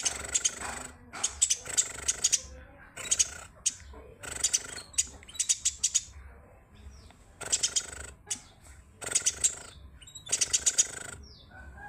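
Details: Eurasian tree sparrow (burung gereja) song used as master song for training songbirds: bursts of sharp, high chirps in quick clusters, separated by short pauses, repeating through the recording.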